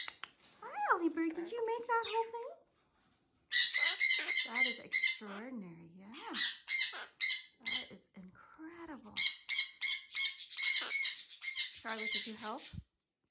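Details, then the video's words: Pet monk parakeets, called Quaker parrots, building a nest indoors: loud harsh squawks fire in rapid runs of five or six, between lower wavering, speech-like tones that rise and fall. "Quaker Parrots Speak and Build Nest"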